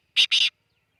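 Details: Black francolin giving two harsh, grating bursts in quick succession, the second slightly longer, then silence.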